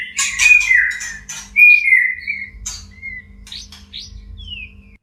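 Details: A caged white-rumped shama in mating condition sings: rich whistled phrases and harsh bursts at first, then sparse clear whistles and quick falling slurs with gaps between, over a faint steady hum.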